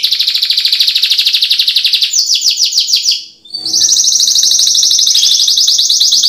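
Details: Singing canary used as a stimulus track for canaries that seldom sing: dense rolling trill, then a series of quick downslurred chips, a short pause, and a bright, sustained high buzzy roll.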